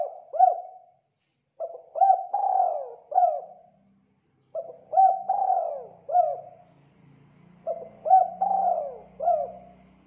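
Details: Javan spotted dove cooing to provoke rivals into answering: soft low cooing phrases of several rolling notes, the last one drawn out, repeated three times about every three seconds, with a faint low hum.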